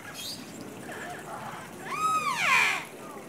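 A macaw gives one loud, harsh, rasping squawk lasting about a second, rising then falling. Fainter, softer bird sounds come before it.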